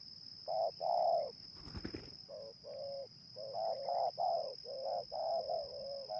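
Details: Spotted dove cooing during a session luring wild doves in Indonesia: a series of short and long mellow coos in quick succession after a brief rustling thump, with a steady high insect whine behind.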